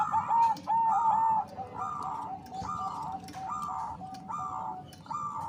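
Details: Zebra dove of the Bangkok type, a female calling the male to stir breeding urge; a run of short, even coos repeated about every second at moderate volume, with a low steady background hum and faint clicks.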